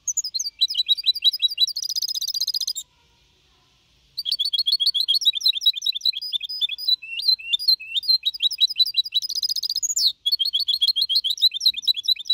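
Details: Young goldfinch mixto, aged four and a half months, performing clean Malaga-copy song. Long twittering passages with twice-repeated buzzy rattling trills and upslurred whistles, interrupted by a pause of about one and a half seconds.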